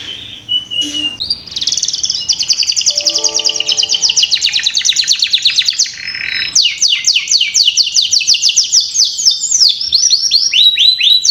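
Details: Canary song used to draw out singing in young canaries: brief chirps, a long rapid buzzing trill, then rhythmic falling whistled notes repeated about four times a second, with faint music-like tones briefly underneath.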